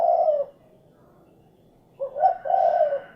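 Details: Spotted dove (derkuku) call: the tail of one low coo phrase, a short silence, then a fresh phrase of a brief note followed by a longer warbling coo.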